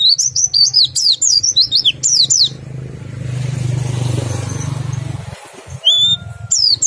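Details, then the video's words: Oriental white-eye song in the ngerol and nembak styles, used to stimulate other white-eyes to sing: rapid high sharp downslurred notes at the start and end, with a passing engine rumbling loudly in between. "PLECI meriwik ngerol sambung nembak, sangat ampuh merangsang pleci ikut bunyi"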